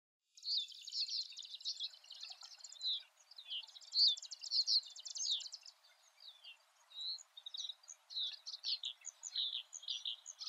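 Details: A male reed bunting in summer plumage, singing from a high perch in a reedbed, filmed 14 June 2013, gives a high-pitched run of short chirps and ticking notes, bunched into quick irregular bursts with brief pauses between them.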